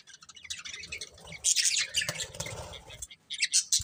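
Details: Pet budgerigars from a family group giving bursts of bright, squeaky chirps and harsh chatter, with quieter gaps between and soft fluttering or rustling in the background.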